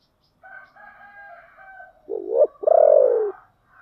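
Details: Spotted dove giving its giọng thổ song: faint, drawn-out higher tones first, then a loud phrase of a short rising coo and a longer, deep, falling coo.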